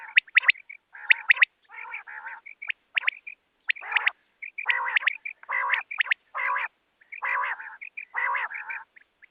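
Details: Busy calling by a female rain quail: dense runs of sharp rising whistles mixed with many harsh, nasal, buzzy bursts and short chirps throughout.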